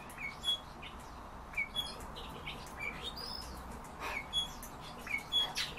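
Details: Group of European bee-eaters giving brief, rolling, slightly trilled calls at uneven intervals, several birds overlapping, against a constant rushing background noise.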